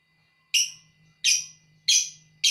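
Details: Lovebird singing in the ngekek style. Loud, harsh chirps come roughly every 0.7 seconds, each fading quickly, over a faint low hum.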